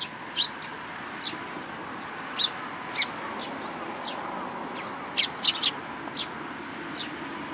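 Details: Sparrows, including a tailless one, recorded at a Tenmangu shrine on 13 April 2022, give brief piercing chirps at uneven intervals, with a small cluster around the fifth second, against a constant low murmur.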